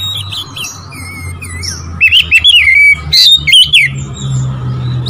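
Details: Oriental magpie-robin song aimed at provoking rival birds. Soft twitters give way to a loud run of looping whistled notes and sharp chirps, with a low hum in the background.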